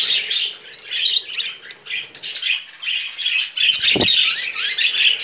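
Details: Two pet budgerigar brothers perched on a hand indoors, chattering nonstop: dense, scratchy, high warbles and chirps run together with fast squeaky notes. A brief thump cuts in near the end.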